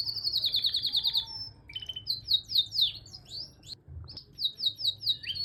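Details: Green-coloured male canary singing, with fast buzzy trills and rolling repeated high notes, chattered phrases and brief pauses, continuous throughout; faint low hum beneath.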